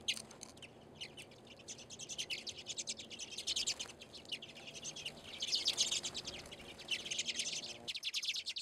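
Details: Wintering redpolls visiting a bird seed feeder off a back deck in Anchorage, Alaska, in February. Almost nonstop high, rapid chattering, with dense runs of short zapping notes forming rattles and trills that swell in the second half.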